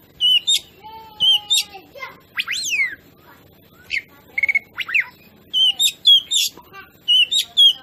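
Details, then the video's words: Oriental magpie-robin song meant to provoke other birds: a medley of clear whistles, sweeping upslurs and sharp chirps in short phrases separated by brief gaps. "masteran kacer"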